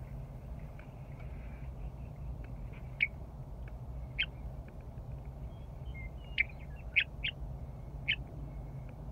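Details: Western meadowlark back in spring at Rocky Mountain Arsenal National Wildlife Refuge, perched close to a vehicle on the wildlife loop drive: a few sharp, clipped single notes, irregularly spaced, over a steady low engine rumble.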